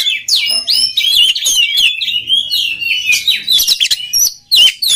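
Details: Song of an oriental magpie-robin, played as training material so other magpie-robins quickly begin singing: a dense, fast medley of high whistles, trills and harsh chirps that continues almost without pause, with one brief silence near the end.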